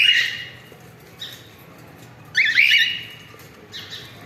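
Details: Cockatiel family calling: a loud, harsh, rising screech near the start and another at mid-clip, with two fainter calls between them, over quiet room background.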